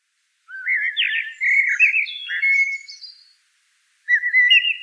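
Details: Common blackbird delivers a long mellow fluting phrase that wavers up and down and ends in a faint high flourish. After a pause, a second warbled phrase begins. The background is otherwise silent.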